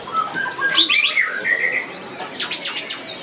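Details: White-rumped shama singing at the Piala Candi Prambanan 2 bird singing contest: a rapid run of clear whistled notes and sweeping slurs, some high and buzzy, broken into quick bursts, with faint background noise.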